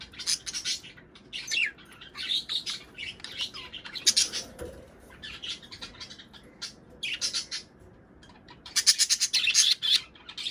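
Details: Budgerigars chattering to stimulate breeding: busy bursts of scratchy, buzzy chirps and warbles, high-pitched, coming in irregular clusters with short pauses between them.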